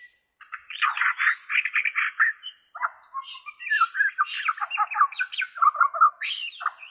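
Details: Bornean white-rumped shama, voice for therapy of captive shamas: harsh, buzzy, rasping phrases repeated in quick pulses, mixed with squeaky whistles and scratchy chatter.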